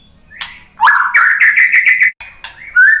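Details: White-rumped shama delivering a rich, loud phrase: a rising whistle, then a fast series of repeated warbled notes, a pause, and a final bright whistled note, in a quiet setting.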